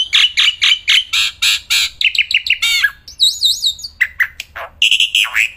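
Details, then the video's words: Kept black-winged myna singing nonstop and loudly outdoors. A harsh, varied sequence of rapid buzzy notes, rising and falling whistles, and a high warbled trill, with short strident squawks near the end. "Burung Jalak Putih Gacorrrnya Edan gak ketolong"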